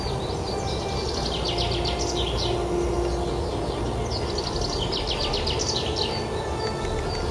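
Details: Two bright chaffinch songs in early spring, the first of the season, each a fast run of high notes tumbling downward over about two seconds, set against a steady low rumble of background noise.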